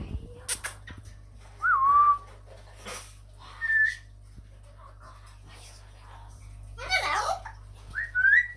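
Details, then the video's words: Talking Amazon parrot, said to say "allah hu" and "mashallah": a series of short clear whistles, some rising and some falling, plus a rough speech-like burst near the end, set against a steady low hum. "Amazon parrot talking to king and saying allah hu ( mashallah)"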